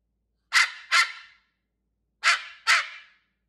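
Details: Pet cockatoo copying a dog gives paired harsh barks, two loud raspy bursts close together, a short silence, then another matching pair.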